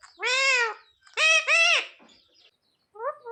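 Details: Pet parrot (mitthu) mimicking "mummy papa": two or three long, nasal, voice-like syllables with arched pitch, then a short soft call after a pause.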